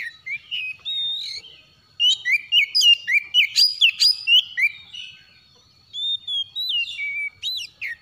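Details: Oriental magpie-robin in the morning giving a rapid series of bright whistled notes that swoop up and down, about four per second, in two bursts separated by a short quiet gap.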